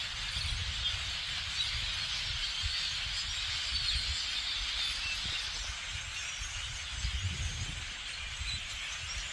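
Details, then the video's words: A large flock of blackbirds makes a dense, steady wash of overlapping squeaky chatter and chips, with low wind rumble underneath. "Sounds of Blackbirds"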